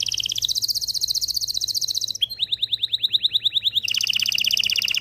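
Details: Canary singing to stimulate males and females for mating: fast buzzy trills around the high register, shifting into a series of rapid rising-falling slurred notes, then back to a dense rapid trill.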